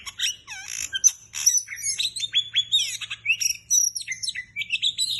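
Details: Oriental magpie-robin singing energetically and continuously: rich varied phrases of sweeping whistles, slurred notes and rapid twittering at high pitch, delivered in quick succession with short gaps, a faint low hum beneath.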